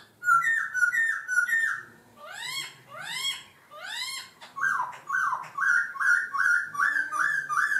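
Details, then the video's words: Laughingthrush in varied, voice-changing song: runs of quick repeated whistled notes, a set of steeply rising sweeping notes, then another fast run of short clipped whistles. "chim khướu hót hay đảo giọng"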